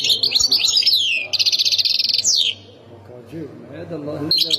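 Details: European goldfinch from Khemis Miliana, Ain Defla province, singing: a burst of high twittering notes and fast buzzy trills with falling slurs, then a brief pause before another high phrase starts; a low steady hum runs underneath.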